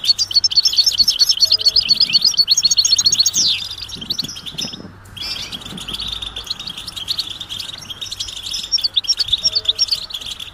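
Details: Goldfinch 'betbeta' calls of mating readiness, aimed at getting a silent male to sing; quick bright chirp series, a sweeping glide, a short pause, then steady high chattering with sharper tinkling notes near the end.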